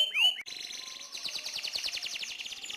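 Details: A single bright upslurred whistle from a lively canary opens into a fast, even, rolling trill held for over two seconds at high pitch.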